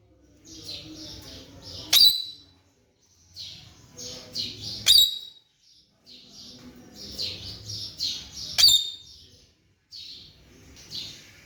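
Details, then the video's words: Young pet Alexandrine parakeet, recorded indoors in 2023 during its talking progress: short sharp squawks recurring about every three seconds, each preceded by soft breathy chattering notes, in a quiet room. "Raw parrot Alexandrine parrot ki progress a gi alhamdalilla"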